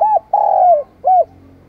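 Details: Decoy spotted dove calling wild doves in the morning, giving a full phrase: a short arched coo, a long, drawn-out, slightly falling croo, then another short curved coo, mellow and low-pitched, in a quiet setting.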